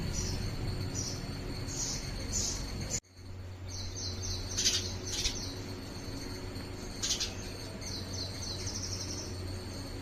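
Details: House sparrow examining an artificial coir nest at a house in India: faint, high, short chirps in small clusters, with a steady low hum and a constant high insect-like drone behind them.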